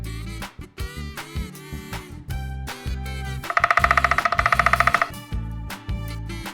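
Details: Only music is heard: a bouncy instrumental tune with steady bass and drums, and a bright, rapidly repeated figure in the middle.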